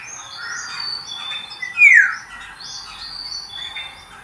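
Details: Black-naped Oriole giving its signature keeyaww call, recorded January 14, 2022: one loud, harsh, downslurred note near the middle, set against a busy backdrop of thin, high chirps from other birds.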